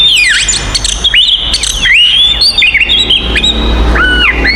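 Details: Oriental magpie-robin fighting song meant to provoke rival magpie-robins: rapid sequence of varied whistles, swooping upslurs and downslurs with buzzy high notes, dense and nonstop, low hum underneath.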